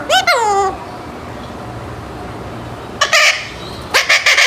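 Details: Eight-month-old pet Alexandrine parakeet beginning to speak a few unclear words, indoors: an opening harmonic-rich falling whistle-like utterance, then after a quiet gap two bursts of harsh, broadband chattering syllables.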